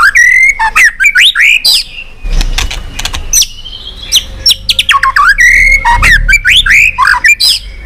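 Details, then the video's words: White-rumped shama giving continuous 'tach' calls, used to stimulate pet shamas lacking form: loud, varied whistled phrases with sweeping rising and falling notes and sharp clicks, a brief quieter gap midway, then another burst of rich slurred whistles. "Chòe lửa tạch liên tục"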